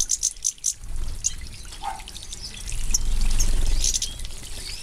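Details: Moulting European goldfinches ('Mayor', 2015) bathing: a quick series of sharp, very high chirps at the start, then sparser high tweets over rising splashing water and wing flutters.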